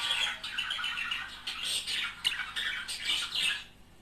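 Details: Budgerigar pair chattering and warbling, a sound meant to stimulate mating and singing; dense scratchy chirps and squawks run almost continuously, fading near the end.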